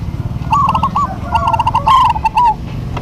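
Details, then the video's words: Zebra doves of a local strain sing in duet, two overlapping rippling coo phrases of quick staccato notes filling most of three seconds, over a low rumbling background. "DUET PERKUTUT LOKAL GACOR PALING RAME PASTI SEMUA NYAUT"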